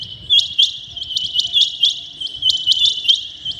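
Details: Early in the morning a rain quail repeats piercing, high, double-struck notes about every quarter second in an even series, with a soft low hum beneath.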